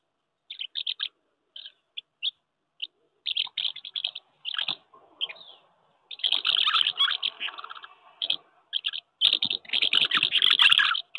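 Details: Common house martins courting at their nests on a wooden house in May 2023, with established pairs claiming nests and squabbling with strangers; dry chirrupy twittering in short bursts, building into dense continuous chatter in the second half.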